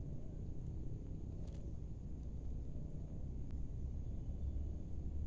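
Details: Steady low rumble of distant traffic outdoors, with no animal voice.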